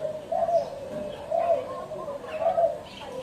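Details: Three soft, low coos from a spotted dove, each about a second apart, with faint high chirps from other birds in the background.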